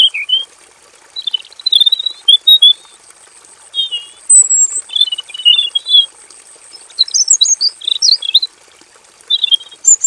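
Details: Caged robin in a simple aviary, an active full-variation song used as master training audio: bursts of quick warbled whistles separated by short gaps, the phrases varied and lively, with a thin steady high hum throughout.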